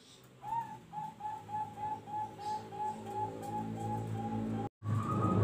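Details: Zebra dove with a noklak nekung style song: a long even run of short, mid-pitched cooing notes repeated about three times a second over low rumbling noise, then a sudden cut and loud steady hum with a thin tone.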